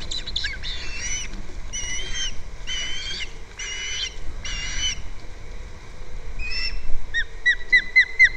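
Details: Nest-cam recording of an osprey at the nest on Captiva, February 2nd. A series of slurred, whistled calls comes about once a second, then shifts to quick, short rising chirps near the end.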